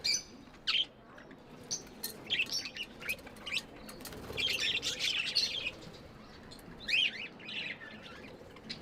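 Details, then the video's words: Several tame budgerigars chirp affectionately: busy high twittering and squeaky chirps, a dense warbling run in the middle, with some soft fluttering. "Budgies amazing love & chirping sounds"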